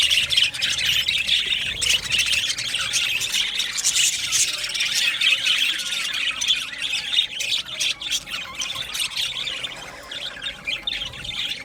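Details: Australian budgie parrots in an aviary colony keep up continuous scratchy chattering and squawks, loudest at first and easing slightly toward the end.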